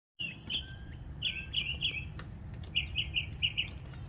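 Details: Northern mockingbird singing after a February rain: bright, clear notes near the top of its range, delivered in three quick bursts of rapidly repeated syllables with short pauses between them, over a low rumbling background.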